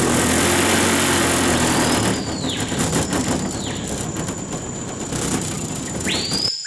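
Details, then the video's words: Screaming piha (Lipaugus vociferans) singing in the Amazon near Manaus during river fishing, loud whistled arcs, then a sharp rising whip-like whistle, over a steady droning boat engine. "The song of the Cricrió, (Lipaugus vociferans)"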